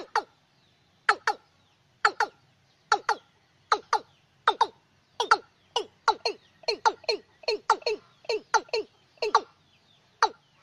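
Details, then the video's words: Watercock calling at night, used as a lure: a long, fairly steady series of hollow, downward-dropping notes, often paired, getting quicker and denser toward the end. "Tiếng Cúm Núm Đôi Đánh Đêm Hiệu Quả"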